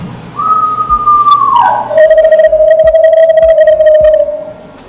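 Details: An Eastern Screech-Owl gives a quavering whistle that slides down in pitch, then a long, even, trembling trill on one low note, its whinny and trill, played as a nighttime sound of Presque Isle, with a faint background hum.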